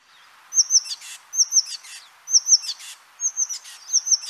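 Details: Oak Titmouse, thought to be alarming at something, gives a couple of intense notes repeated over and over: a high thin note followed by raspy scolding buzzes, about every second.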